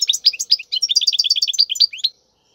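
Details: Wild European goldfinch song, played for tutoring young birds to sing: a fast, bright run of high twittering notes and short buzzy trills, about two seconds of continuous phrase, then silence.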